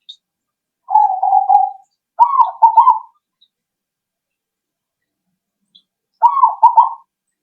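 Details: Lure recording of a zebra dove meant to draw answers from other birds: a long, low purring coo, then a quick stuttered double coo, and after a long silence a final bubbling coo phrase.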